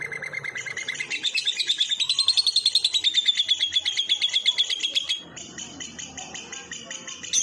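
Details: Lovebird in tembakan kores ngekek, filler material to train other birds: a high chatter that builds into a loud, pulsing trill from about one to five seconds, then softer, sparser high notes.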